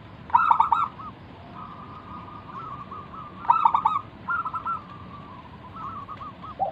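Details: Active local zebra dove used as a lure to call other doves into song: loud staccato bursts of clipped coos every three seconds or so, linked by long, even, purring coo trills.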